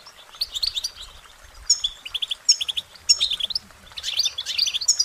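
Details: Cheerful goldfinch song made of quick repeated twittering phrases, short high notes and tinkling trills rising and falling, with slight background noise.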